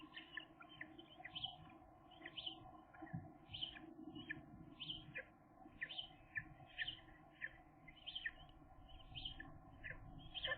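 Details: Two gull chicks at thirteen days old, cared for and learning to reach a food tray: a series of short, high, piping calls repeated roughly every half second to a second, over a steady low hum.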